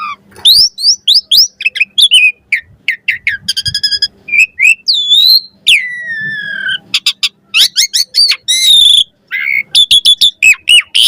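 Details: Asian pied starling in varied chattering song, recorded for teaching captive starlings: mixed whistles, clicking trills, long sliding downward notes and dense rattling bursts in rapid succession.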